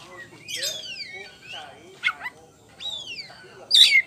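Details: Champion caged Oriental magpie-robin of the poci type sings loudly in ngeplong style, giving clear whistled notes that sweep downward, separated by short pauses, over a faint background murmur.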